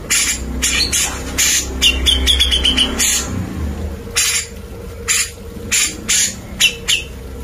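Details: Grey-cheeked bulbul singing energetically as training material for white-rumped shamas: a rapid rattling burst of raspy notes with a thin whistle, then spaced harsh squawks over a steady low mechanical hum.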